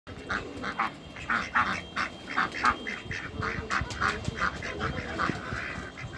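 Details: Pekin ducks, two males and one female, on a waterbird farm; a run of short, harsh quacks in uneven bursts, roughly one a second, over a steady murmur of background noise.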